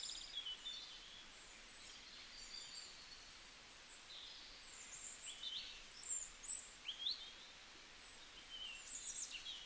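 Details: Several birds sing outdoors in a chorus of high, thin chirps and short rising whistled notes, scattered irregularly and bunched more densely in the second half, over a constant soft hiss.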